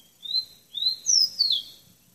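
A bird sings four clear, high whistled notes: two rising slurs, then two higher notes sliding downward, all within about two seconds. The background is quiet.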